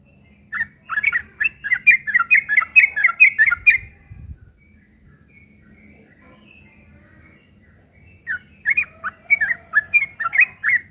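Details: ['Yellow-vented bulbul giving a rough, chattering fighting song used as a lure so other bulbuls answer: a burst of quick, scratchy notes for about three seconds, a long pause, then another chattering run.']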